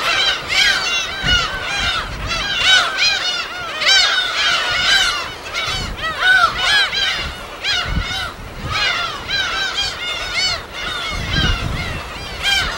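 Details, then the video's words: A dense chorus of gulls at their natural habitat on an uninhabited West Sea island, recorded on site: continuous overlapping nasal, arched yelping calls from many birds, with faint low surf beneath. "파도소리와 갈매기소리"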